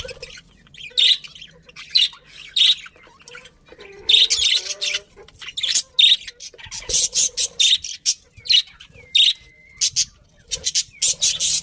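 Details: Chattering budgies: short, sharp, high chirps at first, then faster, denser scratchy warbling with a thin level whistle near the end.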